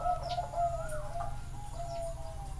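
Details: Zebra doves at a bird farm in Chana, Thailand: overlapping sustained cooing tones from more than one bird, smooth and slightly wavering, over a low rumbling background.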